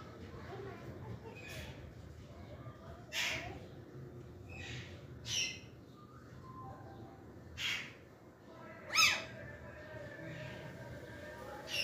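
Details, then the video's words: Green parakeets in a talkative mood give short, harsh, scratchy squawks and chattering bursts, spaced irregularly one to three seconds apart, over a low indoor hum. "Green parakeets are in Speaking 🔊 Mood"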